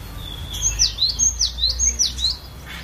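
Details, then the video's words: Training song of a collection-kept cinereous tit: five bright whistled phrases, each sliding steeply downward, repeated in quick even succession before fading out. "Ocehan Burung Glatik Batu Variasi"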